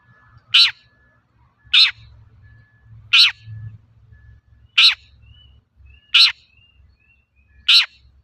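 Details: Long-tailed shrike calling actively, recorded as a lure to prompt other shrikes to sing: six short, harsh, scratchy bursts repeated every one to one and a half seconds, with faint thin whistles between and low background rumble.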